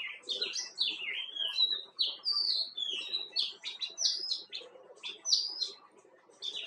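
Himalayan bulbul giving a lively run of bright, slurred whistles, rising and falling notes in quick succession with brief pauses; faint background murmur beneath.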